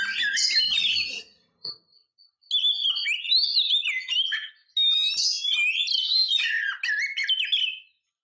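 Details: Oriental magpie-robin female, calling to stir males to sing, gives two long bursts of high, sweet, sliding whistles and rich warbles separated by a short pause.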